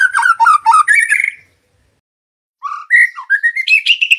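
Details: White-rumped shama singing as a master recording meant to stir other birds to sing: a harsh, buzzy stuttering phrase, a pause of about a second, then clear whistled notes stepping upward in pitch.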